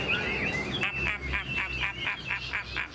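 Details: Young caged Chinese hwamei from this year's brood, praised as a good singer, gives a short whistle, then repeats a clear note about four times a second. Faint background noise is present.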